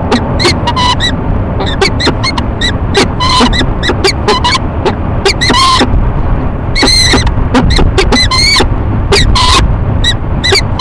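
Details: Male and female peregrine falcon at a nest box on a Rochester, New York building, courting in March 2011 morning; choppy series of harsh ee-chup calls with longer wavering wails mixed in, over low rumbling noise.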